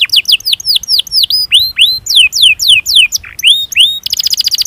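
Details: Domestic canary singing a training song meant to provoke lazy birds: spaced, loud, downward-curving whistled chirps, a brief lower note, then a sudden fast buzzy trill at the end.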